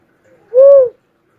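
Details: Cuckoo-dove delivering a single clear coo about half a second long, softly rising then falling, after a faint preceding note; background quiet.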